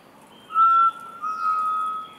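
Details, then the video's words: A Rufous-throated Partridge (Arborophila rufogularis) gives two clear, level whistles, a short one then a longer, slightly louder one, a call with crescending notes at the end, over a quiet background. "Rufous throated Partridge (Arborophila rufogularis) calling with crescending notes at the end"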